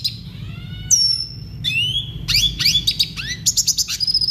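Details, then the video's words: Red siskin song used as a tutor recording for caged birds, clear and clean; long pure whistles, sliding notes and rapid rising chips building into fast trills, over a low background hum. "Masteran burung redsiskin suara jernih."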